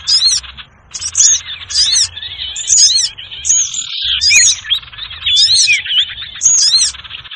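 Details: Busy sirtu bird trapping lure, with clusters of high piercing chevron chirps alternating with thin chatter and curling whistles and a brief lull near the start.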